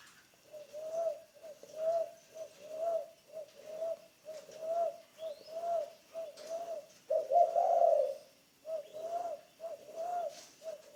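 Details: Spotted dove, a decoy bird in training, repeating short muffled coo notes in a steady rhythm about twice per second, broken once by a longer rough rolling coo.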